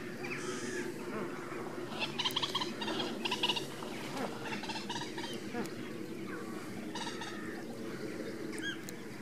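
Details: Greater and Andean flamingos foraging together. Nasal, harmonic honks arrive in short clustered bursts in the first half, loudest near the middle. Scattered softer calls follow over a steady low background murmur.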